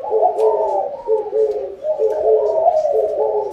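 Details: Spotted doves cooing for a bountiful harvest: a short, dense stretch of interwoven low, soft coos, several birds sounding together in quick succession.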